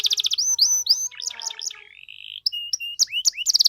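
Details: Canary in full, varied 'cengkok mewah' song, used to provoke other canaries into answering: fast high trills, then rising whistled sweeps, a buzzy mid-pitched stretch, and a final run of sharp rapid notes.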